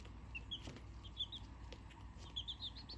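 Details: Chick peeping before sleep, recorded on 7 November 2024: faint high, short whistled peeps, some rising or arched, in small clusters over a low steady hum.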